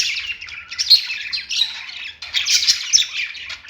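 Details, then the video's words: Budgies on a perch giving a scratchy, chattering warble in two long phrases separated by a short pause, with harsh squawky notes and high chirps mixed in. "budgies singing on perch | parakeet chirping sounds"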